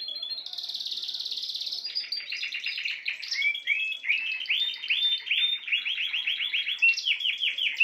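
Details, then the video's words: Spanish timbrado canary song opening with a fast buzzy rattle held over a second, then varied chirps and a long run of rapid rising whistled syllables, repeated in rolling bursts. "chant des oiseaux timbrado espagnol"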